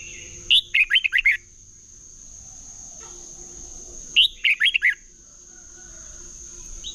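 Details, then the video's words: Red-whiskered bulbul contest song, used to train birds: two identical short phrases about four seconds apart, each a quick series of five or six bright slurred whistles, against a steady faint high tone and low hum. "Chào mào hót đấu"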